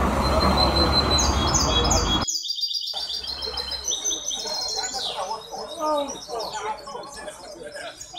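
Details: Hybrid goldfinch competing in a 23 May 2021 song contest at the Ain Chock bird association, Casablanca: quick high twittering phrases, then varied sweeping chirps and trills, first over loud rushing noise, which breaks off before the song continues.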